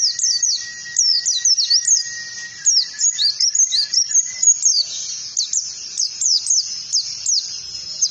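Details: Oriental white-eye song used as lure material to teach other birds the ngalas singing style: rapid runs of high, sharply descending whistled notes, tumbling on continuously, over a steady faint high tone in the background.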